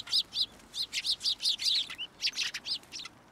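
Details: Sparrows gathering at a post to get food at a Tenmangu shrine, 2 January 2023; a rapid run of bright arched chirps, about three or four per second, with a short pause near the end.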